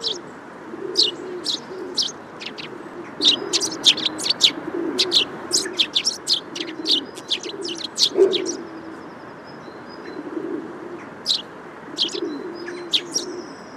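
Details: Dense stream of high, short Eurasian tree sparrow chirps through the first eight seconds, thinning to sparse calls and faint whistles later, with low cooing in the background.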